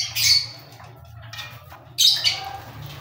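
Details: Two loud, scratchy cockatiel squawks about two seconds apart, each short and buzzy, over a soft background hum.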